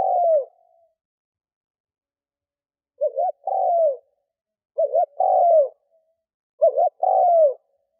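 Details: Spotted dove decoy cooing to attract wild doves: the tail of one falling coo, a pause of over two seconds, then three two-part phrases in quick succession, each a wavering note and a descending coo.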